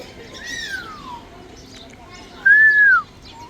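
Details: Grey parrot whistling two smooth slurred notes, the first long and gliding downward, the second brighter, arched and falling, over a low background hum.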